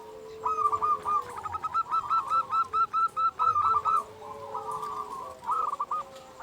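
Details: Zebra dove singing as a lure to rouse quiet zebra doves: a rapid string of bubbling, stuttering coos, then softer trailing notes, over a steady low hum and heavy background noise.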